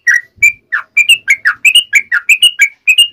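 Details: A sooty-headed bulbul calling its companions gives a quick string of clear whistled notes, falling and rising slurs alternating rapidly with little background sound.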